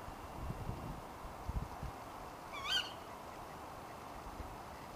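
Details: One brief, shrill 'kewick' from a female Tawny Owl calling late at night, rising then dropping, set against quiet background hiss.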